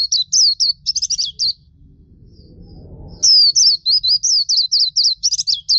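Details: Loud black-capped white-eye song for training songbirds: quick rows of shrill, swooping chirps, a short lull with faint rustling noise, then a fresh run of bright repeated notes.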